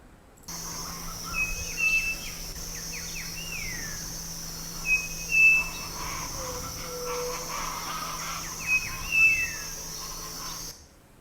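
A Striped Cuckoo gives short, clear whistled phrases of two notes, repeated about every three to four seconds, over a steady hiss and a low hum.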